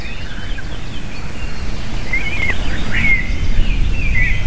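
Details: Eaglets and a female eagle crying at the nest around feeding, afternoon of 7 June 2023; a few high, wavering squeals cluster midway, over persistent low-frequency noise.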